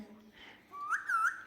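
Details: Pet Indian ringneck parrot, indoors and asked by its owner to act like a cat and say meow, answers with a smooth whistled note that rises and wavers, in a small room.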